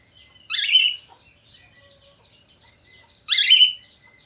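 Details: Lively budgerigar giving two loud, scratchy squawks about three seconds apart, with faint, continuous high-pitched chattering notes running between them.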